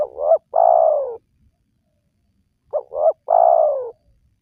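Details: Spotted dove call used as a lure for wild doves. Two low cooing phrases, each a short two-part wavering note then a drawn-out descending coo, separated by silence.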